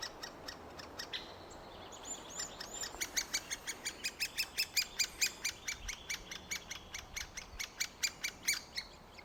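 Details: Great spotted woodpeckers, after three weeks of feeding nestlings that are nearly ready to fledge, give rapid, sharp, high chattering notes about twice a second, building into a continuous insistent series, with a few whistled notes early on.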